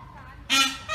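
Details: A peacock at a home gives a loud, nasal, honking blast about a third of a second long, then starts another just as the clip ends.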